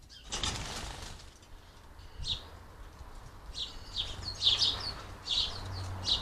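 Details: House sparrows crowding a squirrel-proof garden feeder in the UK; a burst of flapping wings opens, then scattered sharp chirps come in clusters, growing busier toward the end over a low background hum.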